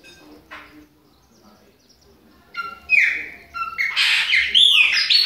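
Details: Chopi blackbird, Bahia type, young bird mentioned, autumn: a quiet start with a few faint notes, then bright slurred whistles and harsh chattering phrases build up loudly.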